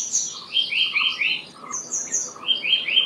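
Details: Black-naped monarch song: bright, ringing notes delivered in quick runs of three, phrases repeating about every two seconds, with thinner high chirps overlapping between the runs.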